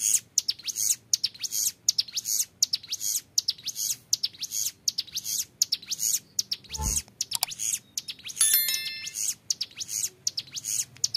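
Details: Long clear ngebren song from a young hill prinia: bursts of very high, tightly packed metallic notes repeated steadily, interrupted around the seventh second by a short knock and a thin tonal squeak before the song resumes.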